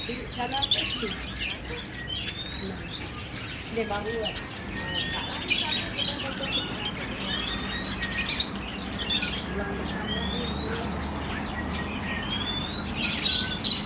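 Budgerigars chattering with quick rising whistles, chirps and scratchy warbles.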